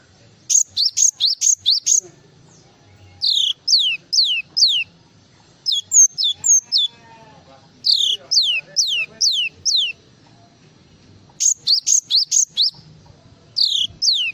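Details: Java sparrow full song in repeated bursts: rapid rising double whistles alternating with runs of three or four steeply falling high whistles, phrases separated by short pauses, over a quiet background.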